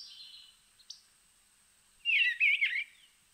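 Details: An Eastern bluebird, early spring arrival, gives a brief, rich warble of quick tumbling notes after a faint whistled note and a short pause, in otherwise quiet surroundings.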